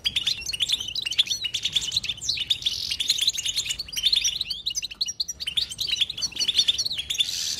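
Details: European goldfinch twittering without pause: dense, fast streams of high, tinkling chirps and short buzzy trills, bright and continuous throughout, with brief dips between bursts.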